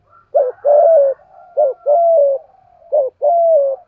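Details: Caged spotted dove decoy bird with a 'giọng thổ' voice, used for lure training. Three coo phrases, each a short clipped note followed by a long, steady, slightly falling mid-pitched coo, about one phrase every 1.3 seconds, in a quiet setting.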